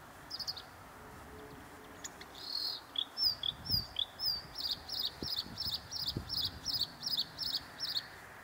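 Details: Bluethroat on 9 April 2015 singing high, varied notes that settle into a fast, even run of ringing, repeated notes about three per second, over steady background hiss.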